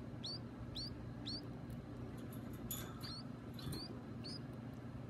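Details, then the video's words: Baby birds kept at home call at feeding time: faint, sharp, high cheeps with a downward hook, several in quick runs, then some softer scattered notes, over a constant low hum. "Feeding the baby birds"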